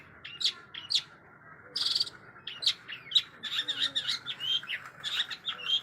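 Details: Long-tailed shrike singing a song rich in borrowed material: scattered high chirps, a short buzzy burst, then a busier stretch of overlapping squeaky twitters and thin whistles, moderately soft over a background hiss.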